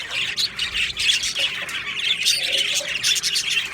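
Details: Short burst of budgerigar colony chatter in an aviary on 22 June 2025, many birds warbling together with harsher squawking notes mixed into the steady high twitter.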